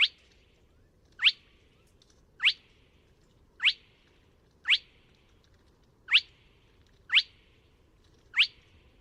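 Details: Spotted crake calling at Neda, A Coruña, on 24 March 2017: a sharp whip-like rising whistle, repeated steadily about every 1.2 seconds, with faint low background hum.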